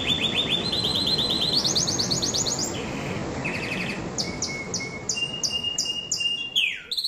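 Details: Excited canary singing: fast buzzy trills climb in steps to a high pitch, drop to a lower rattle, then give way to spaced sharp chips and a thin whistle, with background hiss.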